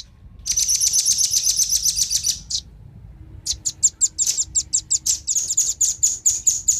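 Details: Velvet-fronted nuthatch, male and female, calling to attract wild birds: a fast shrill trill for two seconds, a short gap, then an even string of loud high chips roughly three per second.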